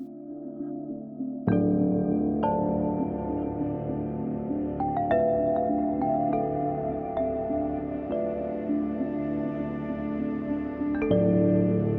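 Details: Soft ambient music with sustained pads and gentle mallet-like tones, with no animal voices.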